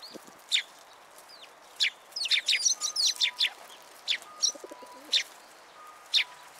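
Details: Several sparrows visiting a platform to be fed at a Tenmangu shrine, 14 February 2023; short high chips spaced irregularly, a busy cluster of chirps midway, and a faint steady electronic-like tone pulsing in the background.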